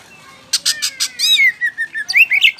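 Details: Oriental magpie-robin of the poci variety, in full lively song used as a lure recording: a burst of rapid harsh buzzy notes, then a string of varied clear whistles, sliding slurs and sharp chirps.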